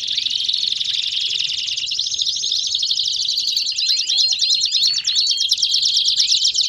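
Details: Canary baderna song meant to get other canaries singing: long, dense sequence of high rapid trills and crowded downward sweeps, growing busier and louder in the second half.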